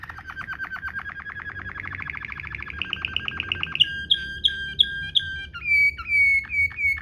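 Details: Waterslager-style canary ngerol, a rolling tutor song for training canaries: a long, rapid trill that gradually speeds and brightens, then breaks into separate clear whistled notes with sharp downward slurs, spaced roughly every third of a second.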